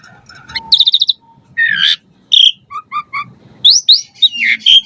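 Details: Asian pied starling giving varied fill-in song as a lure for captive starlings: a quick rattled trill, a buzzy slurred phrase, short paired whistles and sharp rising squeaks, spaced by short pauses.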